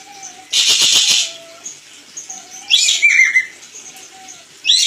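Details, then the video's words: Crested jay on a training master track: one harsh, fast rattling burst near the start, then short falling squeaks and a clipped harsh note, with soft low whistles threaded through the background. "Masteran burung ekek keling"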